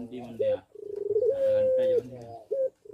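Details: Captive Barbary dove in a breeding-condition cooing recording used as a lure to bring others into breeding condition: short clipped notes around one long, steady drawn-out coo lasting under a second, in a small indoor space.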